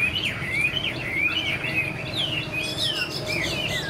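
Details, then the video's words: Chinese hwamei kept in a cage, a this-year bird, delivering loud, clear whistled song with looping rising and falling slurs and quick trills, continuous throughout, over a low background hum. "Họa mi chuyền năm nay, cực kỳ tố chất, vẩy đuôi khướu, hót tốt"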